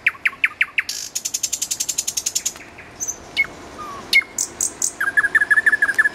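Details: Common nightingale singing beside a road: a quick run of loud repeated clicking notes, then a rapid even rattle of about fifteen strokes, a pause with single sharp whistled notes, ending in a fast series of short repeated notes.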